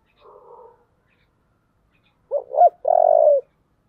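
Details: Spotted dove calling in the giọng thổ voice style while being urged to fight. After a faint, soft opening, a loud cooing phrase follows: two short rising notes, then one long, slightly falling coo.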